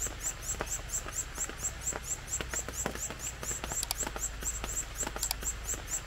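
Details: Red-eared Parrotfinch chicks beg from a nest by a vine in forest at the Robert S. Kennedy Bird Conservancy, with very high, thin chirps about two a second while a parent feeds them. Sharp clicks and a low hum run underneath.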